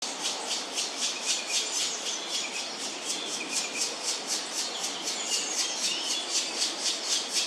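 A Black woodpecker gives a steady series of harsh, high notes, about four each second, over a hissy background.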